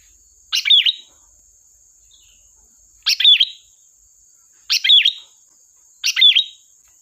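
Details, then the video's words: Sooty-headed bulbul song used as a lure for trapping: four short bright phrases, each a quick cluster of chirpy notes with a whistled slur in the middle, spaced about one and a half to two and a half seconds apart; a steady faint high hiss throughout. "Suara burung Kutilang Gacor || tembakan tajam pas untuk pancingan"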